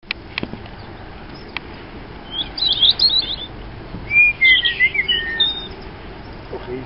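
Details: Robin singing: two separate high, rapid, warbling phrases of jumbled twittering notes, one about two seconds in and a brighter one with slurred whistles near four seconds, with a few faint clicks at the start and steady background hiss.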